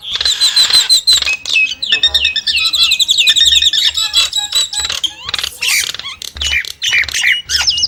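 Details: Nias hill myna singing loudly: bursts of high, ringing whistles and chatter, then clicks, harsh notes and bright, quick whistled phrases, with short pauses between them.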